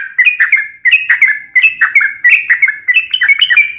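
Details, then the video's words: A yellow-vented bulbul sings fast in the fighting style: liquid, downslurred whistled phrases follow one another about every half second, with sharp high clicks on top. "KICAU SUARA trucukan gacor TARUNG NGALAS ROPEL"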